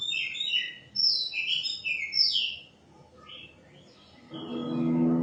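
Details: White-rumped shama singing varied, rich whistled phrases that slide up and down, heard for about three seconds, then a quiet gap and a low, humming background noise at the end.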